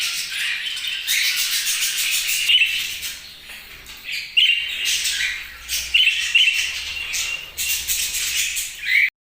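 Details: Budgies chattering in bursts of raspy twitters, punctuated by sharper high chirps every second or two, the sound cutting off abruptly at the end.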